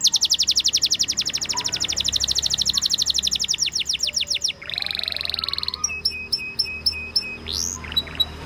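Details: Canary song opening with a long, fast, regular series of sharp descending notes, then a buzzy churring trill and sparse clipped chips, with faint background hum.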